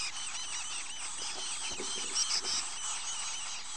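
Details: Young chickadees, nearly grown and starting to look like adults, give a steady series of short, high, arched chirps with a few louder squeaky notes near the middle, over a constant background hiss.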